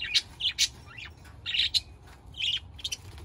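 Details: Budgerigar calls: sharp, high chirps and squeaky warbles in short clusters, with one quick rising squeak and scattered single tweets over a quiet background.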